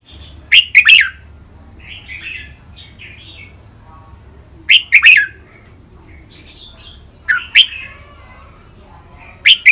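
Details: Caged Thai red-whiskered bulbuls in song training, 'rik', 'bernl', 'lak wai', 'mae bot' and 'nap dok' styles: repeated loud phrases of three bright whistled notes, separated by softer scratchy warbles, about every four seconds.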